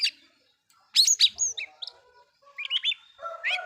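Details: Oriental magpie-robin song meant to anger other magpie-robins: a loud cluster of sharp notes, then short rising and falling whistles and a few scattered chirps.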